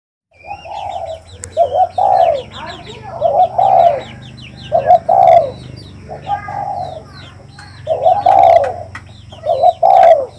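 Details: Spotted dove cooing close by, phrases of a short double note followed by a longer, falling coo, repeated about every one to two seconds, with small birds chirping and twittering high in the background.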